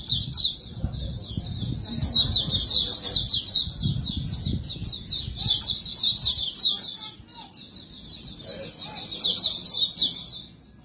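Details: Caged white-eye, called white-breasted pleci or Montanus, in its continuous 'bocor' song used as a lure for other birds: a long, high, rapid twittering warble that runs almost without pause, fading slightly near the end, over low background rumble.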